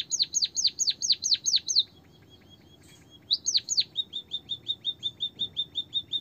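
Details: White-headed munia training song for coaxing quiet birds to sing: a run of sharp downslurred chirps, a short silence, then more chirps easing into a rapid, even series of softer high notes.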